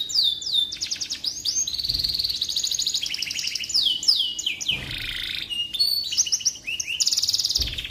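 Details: Canary singing for use as a tutor recording for white-rumped shamas, a dense high trilling song of fast rolls and down-slurred notes, with brief low thumps and some background noise.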